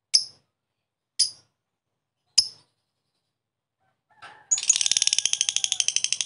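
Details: Lovebird used to coax a quiet bird into song: three sharp, evenly spaced high chirps, a pause, then an outburst of fast buzzy chattering.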